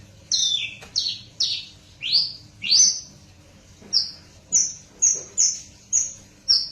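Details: Hybrid bush lark bred from a Java hen and a parfa cock, delivering rising slurred whistles that shift into shorter, higher clipped notes, roughly a dozen in steady series.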